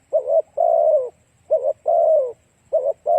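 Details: Lure song of a spotted dove used to draw in other doves: low mellow coos in a repeating pattern, a brief two-part note then a drawn-out falling coo, about three phrases, with no other sounds.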